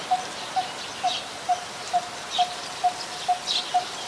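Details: Nine low, evenly spaced tuk notes from a Coppersmith barbet, a very common resident, recorded in Ubon Ratchathani, Thailand, on 2 January 2021, with faint high chirps in the background.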